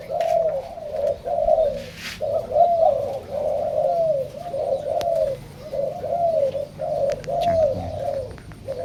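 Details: Captive zebra doves, many pairs raised together, coo clearly: soft, bubbling, slightly descending notes in quick chains of about one per second, overlapping callers, quiet room background with a faint high hiss.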